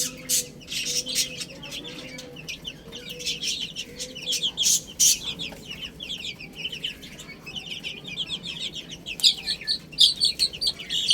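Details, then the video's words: Baby chicks eating and playing, a flock chirping constantly in thin, high, overlapping peeps, with sharp pecking clicks throughout and soft lower tones in the first half. "Cute Little Chicks Chirping Sounds"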